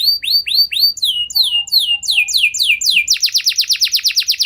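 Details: Canary singing a lure song meant to set other canaries singing at length: high descending whistled sweeps, each repeated several times, speeding up into a fast, even, rolling trill at the end.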